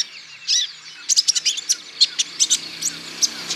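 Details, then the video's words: Olive-backed sunbird male, Natuna, played to stimulate other birds into song: a rapid series of thin, high, clipped tweets in an uneven rhythm, getting softer toward the end. "TERAPI KONIN IJOAN GACOR"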